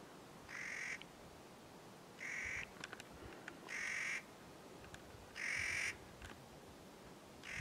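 Clark's nutcracker gives harsh, grating, crow-like kraaa calls, each about half a second long, repeated every second and a half against a quiet background.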